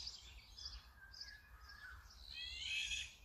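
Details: Brown-eared bulbul, captured with a Sony camera and 200-600mm lens, ends with a loud, harsh, rasping screech rich in overtones, after soft high chirps and a low wavering note from other birds.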